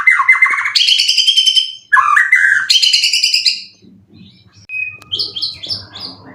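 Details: Caged competition white-rumped shama, three moults old, said to be in 90% condition with song material full of cililin; loud whistled and rich warbled phrases, rising and falling, then softer buzzy trills and a thin high note after a pause.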